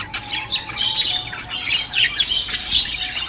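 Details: Budgerigars warbling to encourage a female to breed: dense, fast chirping and squeaky chatter, several birds overlapping in a continuous stream with a faint low steady hum beneath.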